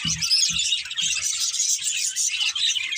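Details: Budgerigar breeding pair giving constant high-pitched chattering chirps, dense rapid warbles and squeaks, with faint low thumps at regular intervals in the background.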